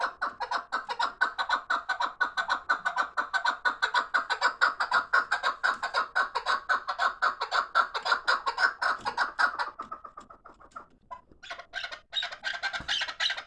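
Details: Fighting chukar partridge calling in a long, rapid, even series of clucking chuk notes, about two per second, loud and sustained for ten seconds, then fading into scattered softer notes.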